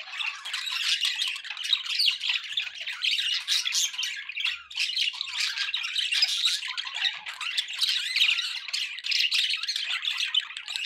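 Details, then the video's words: Pet budgies warble continuously for about eleven seconds, a dense, even wash of scratchy chirps and squeaky squawks with no real breaks. "budgie sounds"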